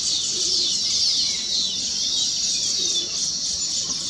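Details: Weaver birds singing on their just-completed nests, said to be celebrating the finished nests; a dense, continuous high chatter of many overlapping buzzy, twittering notes with quick descending slurs, steady throughout.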